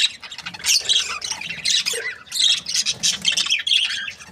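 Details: Budgerigars of a happy breeding pair chirping: busy, squeaky, scratchy warbles with short whistled inflections, continuous and fairly loud.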